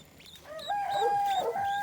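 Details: Guineafowl adults looking after a chick. Soft scattered notes swell into one long, steady, clear note held for over a second, with brief rasping notes overlapping near its end.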